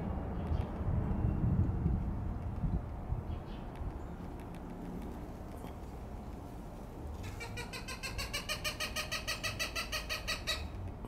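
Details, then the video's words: Cooper's hawk in a garden on 17 February 2023 giving repeated warning alarms at a large barred owl nearby: a rapid, harsh kak-kak-kak of about three notes per second, over steady low rumbling background noise. "Cooper's Hawk - Warning Alarm - Predator is close!!!"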